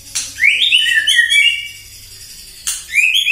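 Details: White-rumped shama singing nonstop in the morning as a provoking lure: an opening click, then a long, fluid warbled phrase of rising and falling whistles, a pause, and another click-led whistle.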